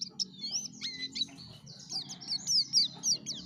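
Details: Yellow-breasted white-eye, a caged songbird kept for lively song and used to lure other white-eyes, giving a fast high warble of thin whistled slurs and trills, with a faint low hum underneath.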